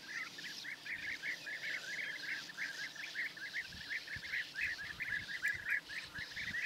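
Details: Early-morning European bee-eaters in Hungary, 10 May 2024, large groups flying over and resting on placed perches: rapid, rolling, burred notes from many birds, nearly one per second per caller, forming a continuous chatter with faint low rumbles.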